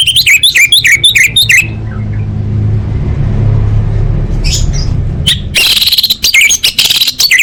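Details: Orange-headed thrush singing as a lure to stir caged birds into song: a quick series of slurred whistled notes, a pause over low rumble, then a dense, scratchy burst of rapid notes.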